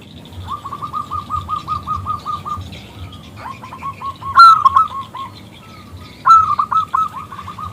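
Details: Zebra dove of local stock singing to lure a male into calling; a long steady run of quick cooing notes, then sharper, louder bursts of rolling coos with softer calls from another dove behind.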